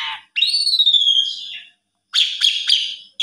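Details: Asian pied starling singing to prompt a silent starling into song: a loud, long whistle that slides slowly downward, then a burst of quick, stuttering, buzzy notes after a short pause.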